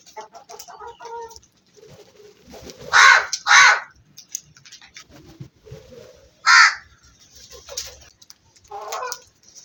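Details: Black crow calling: a close pair of harsh, raspy caws, a single caw a few seconds later and a softer one near the end, with faint chatter and other quiet bird notes between.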